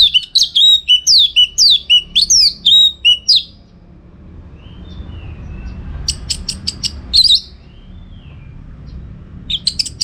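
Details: Orange-headed thrush singing vigorously as a master recording for contest training: a rapid string of high, looping whistled notes over about three seconds, then quieter pause, a burst of sharp clicks and another brief phrase.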